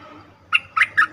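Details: Trapping lure sound of a cream-vented bulbul, three quick gurgling notes, the last two fuller and rolling, above a low steady background hum.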